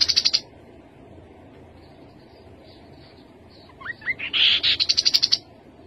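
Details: Rufous-capped babbler singing. The end of a high rapid trill is followed by a pause, then quick rising whistled notes lead into a dense burst and a longer fast trill of even high pulses.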